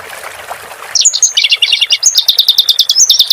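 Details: Clamorous reed warbler singing, recorded as a master for teaching cage birds: after a second of soft background, a fast run of sharp high chirps and trills begins, repeated about three times a second.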